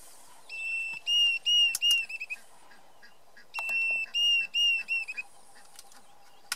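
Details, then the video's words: A Diederik cuckoo at Lower Sabie, Kruger National Park, gives two bursts of clear, high whistled 'dee-dee-deederik' notes, about five per burst, over a quiet background with faint clicks. "Diderick Cuckoo call / sound"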